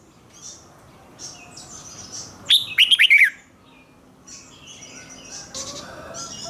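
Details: Red-whiskered bulbul kept as a cage bird, in doubled 'เบิ้ล' song, played for young birds to learn: one rapid burst of five or six clear, warbling whistled notes midway, framed by faint background chirping from other birds.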